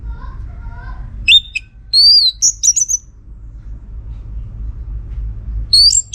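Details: Orange-headed thrush song meant to draw answers from other birds. It opens with soft, lower whistles, then shifts to loud, shrill, high whistled phrases with slurred notes and brief pauses.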